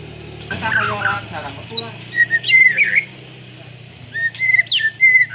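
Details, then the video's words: White-rumped shama with canary-imitation song, recorded on a Redmi Note 10 phone: short bright whistles and sharp high upward sweeps in scattered bursts over a steady low hum, with a brief buzzy jumble near the start. "Burung murai batu isian kenari full ngeroll panjang"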